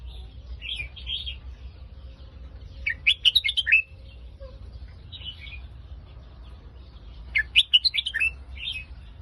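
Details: Red-whiskered bulbul giving Phetchaburi-line song: two rich bubbling phrases of fast whistled notes roughly four seconds apart, each preceded by soft short chirps, over a steady low hum.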